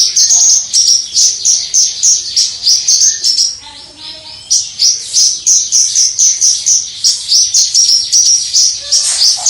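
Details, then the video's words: Javan bush lark recorded from a distance, singing the prized crystal-voiced song; dense, high, rapidly repeated trilled notes, roughly three per second, broken by one softer lower passage midway. "Suara Branjangan Jawa Gacor Dor Suara Kristal"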